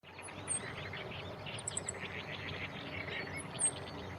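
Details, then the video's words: Male meadow bunting carrying food in its bill on a tree branch beside a fairly large irrigation canal, 28 May 2017. It gives ground calls and slightly higher calls, perhaps near a nest with chicks. Brief thin high chirps, including a quick triplet, over steady outdoor background noise. "ホオジロ Meadow Bunting の鳴き声"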